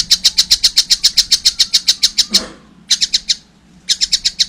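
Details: Young collared kingfisher calling eagerly: a fast run of about seventeen sharp, high, evenly spaced notes, then short bursts of four and six, each note a clipped, harsh chirp with a soft low hum behind.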